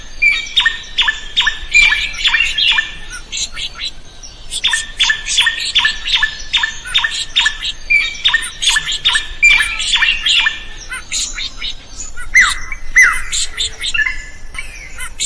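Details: Drongo singing at full volume, meant as a master recording for other songbirds; long bursts of rapid, harsh, rattling notes with brief whistled slurs, pausing around four seconds in, ending with two sweeping whistles.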